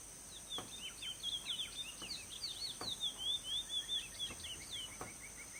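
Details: Chestnut-bellied seed finch singing free in the wild at the Kaw marsh: a rapid, continuous warble of clear whistled notes sliding up and down, sustained for about five seconds over a steady high insect hiss and scattered soft clicks.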